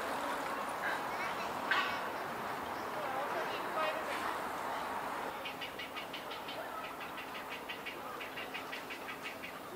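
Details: Grey heron chicks begging at a nesting colony in Sendai-bori River Park, Koto Ward, 20 March 2022, alongside cormorants and night herons: hoarse scattered calls, then rapid rhythmic ticking chatter in repeated bursts over a steady noisy background.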